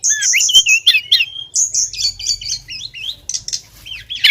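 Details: Female Oriental magpie-robin calling the male: high twittering and slurred whistles in quick succession, softening later, with a low rumbling hum in the background.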